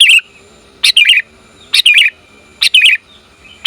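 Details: Female sooty-headed bulbul calling a male for luring: paired chirps, a sharp clipped note then a longer rasping slur, repeated about every nine-tenths of a second.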